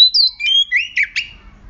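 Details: Fierce oriental magpie-robin song meant to set caged magpie-robins singing: a rapid run of bright whistled notes, some swooping down and others rising, ending in sharp clipped chirps, over a quiet low hum.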